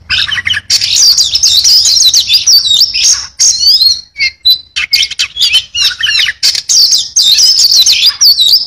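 An Oriental magpie-robin sings a rich, nonstop run of high, varied whistles, sharp chirps and rapid trills, with barely a pause between phrases.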